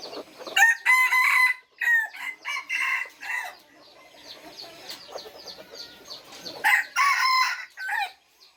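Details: Several loud crows from third-generation red junglefowl, harsh and stuttering, come in bursts near one, three and seven seconds over continual chirping of small birds.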